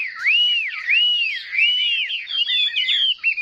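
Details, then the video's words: Caged Chinese hwamei in competitive song, fanned tail and eagle-wing display: looping whistled arcs repeated about every half second, then quicker twisting notes. "Họa mi hót đấu"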